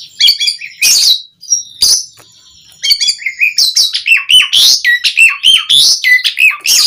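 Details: Persistently singing Asian pied starling used as a lure so other starlings answer: rich, rapid mix of piercing whistles and rasping, scratchy notes, with a short pause near 1.5 seconds before the busy medley resumes.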